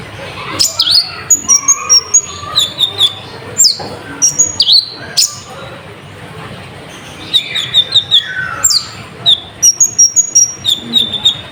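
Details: Sunbird lure song, lively and full of varied fill-in phrases, meant to excite other birds: clusters of thin high whistles and sharp chips, a quiet gap mid-way, then renewed rapid bursts over soft background noise.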